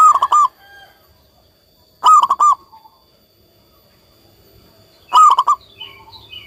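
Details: Local zebra dove giving three phrases of fast staccato cooing notes spaced two to three seconds apart, with soft chirps from another bird near the end.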